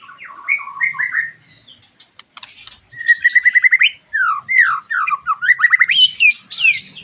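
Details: White-rumped shama song used to stimulate a bird just after moulting, to arouse emotion and breeding drive: varied whistled phrases, rapid repeated note series, downslurred whistles and high sweeping notes, with a brief chattering buzz.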